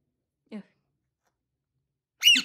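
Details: Alexandrine parakeet, a bird said to talk and laugh: a faint low vocal murmur, then after a pause one loud, harsh, harmonic squawk near the end.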